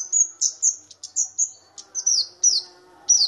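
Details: Flowerpecker (kamade, or cabe-cabean bird), loud for its small size, giving a quick series of piercing high chips and short downward-slurred tsweet notes, about three per second, with a faint droning background.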